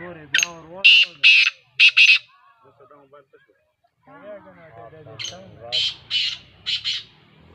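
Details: Partridge (teetar) delivering rapid, grating, screechy notes in short clusters, pausing while a man speaks softly, then calling again in a run of paired bursts.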